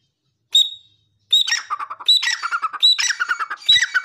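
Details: Grey francolin, called Dakhni teetar, opens with a thin high whistled note, then bursts into repeated coarse chattering phrases, each starting with a short high whistle.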